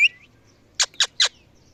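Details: Parrot calls at evening: a brief whistled note, then three quick harsh squawks spaced about a fifth of a second apart.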